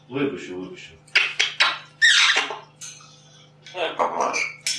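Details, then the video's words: African grey parrot from Russia, a competitor in the 3rd Talking Birds Championship of Poland 2015/2016, talking in a monologue: squeaky, high, speech-like phrases in short bursts, with clinking dishes in a small room. "Gadająca papuga"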